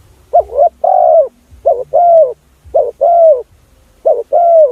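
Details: Spotted dove coo used as a lure for other doves: four rapid-fire phrases, each a quavering double note then a sustained, downward-curving coo, repeated roughly every second.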